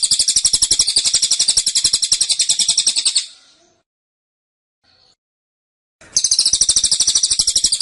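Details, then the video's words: Caged cililin sings in the tembakan style, described as dense and persistent. It gives a rapid, high, buzzy trill of even pulses, about eight per second. A three-second burst is followed by silence, then the trill starts again. "Tembakan Cililin Suara Rapat Dan Ngotot"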